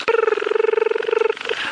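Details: Crested barbets on a sunrise drive at Djuma, Sabi Sand, South Africa, on 18 November 2017, with alarm calling around, give a rapid, even, mid-pitched trill over a second long, like a buzzing alarm clock, then a short final burst.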